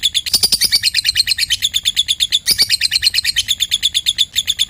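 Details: Continuous ngekek chatter from a lovebird, played to make silent lovebirds sing along; quick, high, buzzy pulses repeated many times a second without pause throughout.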